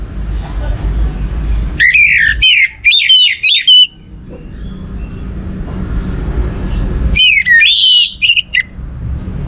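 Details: Orange-headed thrush song used as a lure to stimulate other birds to sing: two bursts of rich varied whistled phrases, slurred notes rising and falling with sharp trills, separated by a pause of low background hum.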